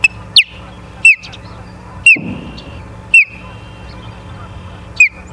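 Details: Osprey calling at a nest in Charlo, Montana, on 7 September 2023 at 09:42, captured by a live nest cam: five sharp descending whistles at uneven intervals, with a soft rustling thump midway and low hum underneath.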